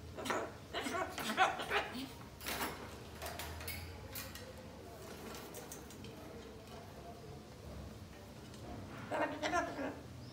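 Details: A pet umbrella cockatoo indoors, said to talk and then scream loudly, gives harsh, raspy screeches and talk-like squawks in short bursts at the start and again near the end, with a quieter indoor murmur between.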